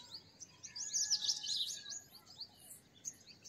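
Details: Purple sunbird song, fairly distant: faint, high, fast twittering trills over a background hiss, with a brief louder run in the middle.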